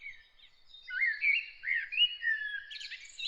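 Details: Bird singing in the early morning, delivering a continuous stream of sweet, slurred whistles that rise and drop, ending in a quick high trill.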